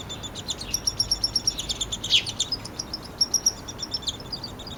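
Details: Downy woodpecker nestling begging while fed by its father, July 12, 2026, in a yard in Lethbridge, Alberta, Canada: rapid high chittering notes in quick bursts, with a louder squeaky peak near the middle and faint background hiss.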